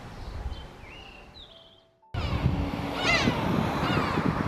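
Black-tailed Gull giving nasal, cat-like mewing calls, two drawn-out cries close together, over heavy wind or surf noise; faint small-bird chirps come before.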